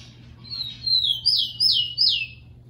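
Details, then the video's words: Captive rufous-collared sparrow song played to train and warm up caged birds to sing: a few high thin whistles followed by three clear descending slurred notes, with a low steady hum underneath. "TREINAR E ESQUENTAR TICO TICO PARA CANTAR LOGO E FOGUEAR, TICO TICO CANTANDO MUITO"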